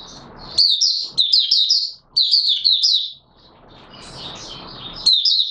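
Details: Oriental white-eye in full song on 24 March 2022, pouring out quick high chattering warbled phrases in two long runs, with a soft hiss between them and a fresh burst at the end.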